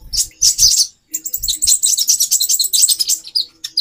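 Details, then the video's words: A female kolibri ninja (konin) calls to raise a male's mating urge: a loud burst of high scratchy chirps, a brief silence, then a rapid run of sharp, high ticking notes and twitters. "Burung Konin Betina 4x terapi birahi. menaikan birahi jantan"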